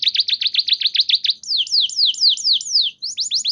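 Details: Lure song of a canary for stalled canaries: a fast, even series of short dipping chirps, then longer loud falling whistles with faint high overtones, and a fresh burst of sweeps at the end.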